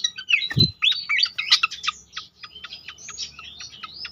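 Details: Pied fantail song used as a lure to set other fantails singing: a fast, irregular run of high, squeaky whistled notes, some slurred upward and some clipped, about three per second, with a brief low thump near the start.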